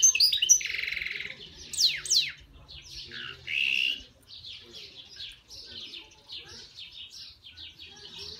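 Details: European goldfinch (Carduelis carduelis), song.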